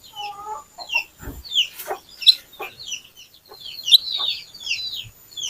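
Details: Little pied flycatcher singing actively as a lure to draw other birds into song: a busy run of short, high, slurred notes and chirps, with a few lower whistled tones near the start.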